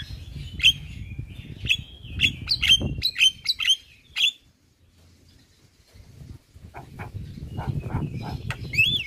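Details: Male Javan myna sung to set other mynas calling: a burst of sharp, squawky chirps roughly every half second, a pause with low rumbling background, then softer scattered chirps returning.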